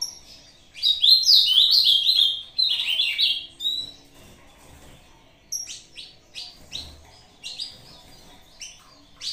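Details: Ultramarine grosbeak singing its short song in competition with a video, giving one loud, rich warbled phrase of about three seconds, sliding up and down, followed by softer scattered chirps.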